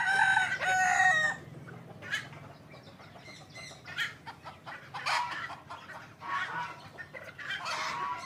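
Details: Crowing of a hybrid Indian junglefowl: a strong ringing crow in two harmonic phrases opens, followed by scattered fainter clucks and crowing notes from further away.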